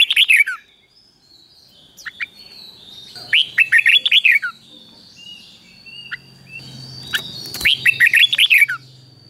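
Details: Red-whiskered bulbul song in the doubled style, delivered slowly and clearly so caged birds can learn it, from Thailand. Rapid clusters of lively, slurred whistled notes recur every few seconds, with scattered single chirps in between.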